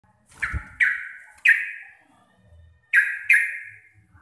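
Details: Local Javanese Sooty-headed bulbul giving receh-style chatter: five sharp, bright chirps, each dropping fast and trailing off with an echo, in two bunches separated by a pause, with a low thump near the start.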